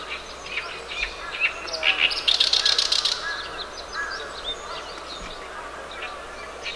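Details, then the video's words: Oriental reed warbler filmed on 10 June 2012, its harsh, grating voice hardly like a small bird's: scattered rasping notes, then a loud burst of rapid buzzy chatter around two to three seconds, with other birds faintly behind. "オオヨシキリ ダミ声"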